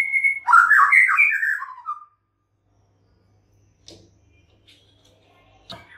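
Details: A white-rumped shama gives one dense, varied whistled phrase lasting about two seconds, then near silence with a faint hum and a couple of short clicks.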